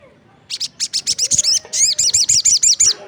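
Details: Crested jay calling energetically, other birds said to join in answering; a fast run of about fourteen sharp, high, ringing notes with downward-bending harmonics, rhythmic and loud over quiet background.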